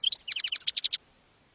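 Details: European goldfinch in campero style for training young goldfinches: a short phrase of about a dozen quick, evenly spaced bright notes, slightly buzzy, lasting under a second before quiet.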